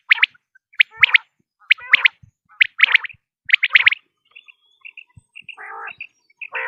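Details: Common quail, male and female sounds meant to attract quail for hunting: sharp high three-note phrases repeated steadily, then soft high chirps and low, rough, buzzy notes.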